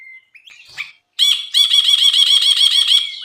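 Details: Brinji (bulbul) singing gacor on a masteran tutor track: a thin steady whistle and a few soft notes, a pause, then a loud continuous buzzy trill of quickly repeated harsh notes.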